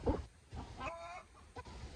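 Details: A hen laying an egg gives a faint, drawn-out cackling note with a nasal, harmonic tone, heard at a distance behind low thumps and background rumble.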